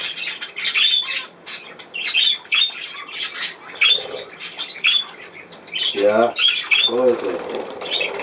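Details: Pet budgerigars indoors: bursts of high, scratchy chirps and squawks, interrupted near the end by a person speaking in German.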